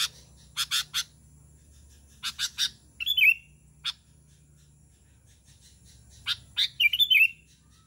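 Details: Sooty-headed bulbul calling other bulbuls: scattered dry clicks and taps around two short, gurgling, liquid phrases, the second near the end.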